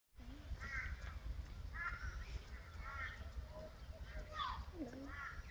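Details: An angry black swan, about to attack, runs up to a wooden barrier and pecks it, giving a run of nasal, bugling, rising-and-falling calls about a second apart, over heavy low wind rumble and a brief human voice.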